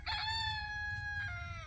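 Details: Rooster among free-ranging chickens that eat bugs on a permaculture site in Ramona, San Diego County back-country, crowing loudly: a long, steady, harmonic-rich note that drops slightly in pitch near the end, with low rumbling background noise.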